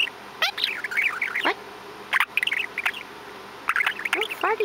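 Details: Male pet budgie recorded indoors in October 2017, chattering and mimicking sounds: dense, rapid warbling with twittery chirps and a few swooping downward slides, broken by brief gaps and sharp clicks.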